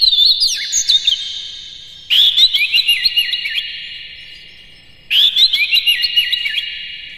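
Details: White-rumped shama song used as a lure to excite other shamas: loud whistled phrases with quick rising and falling notes around a steady high tone, in three bursts separated by short pauses.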